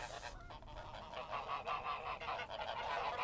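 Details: Several geese give a dense run of raspy, nasal honks, closely packed and rising slightly in loudness toward the close.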